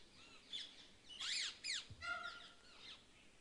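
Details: Jungle babblers (Argya striata) in Sariska Tiger Reserve, Rajasthan, India, among scrub-thorn and dry deciduous forest, give harsh, squeaky chattering notes in several quick overlapping bursts, some rising and falling, over faint background hiss.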